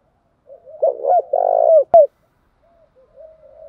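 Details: Spotted dove, male and female birds, recorded to stimulate trained birds to coo; one rolling two-part coo ending with a sharp click, then faint quiet coo notes.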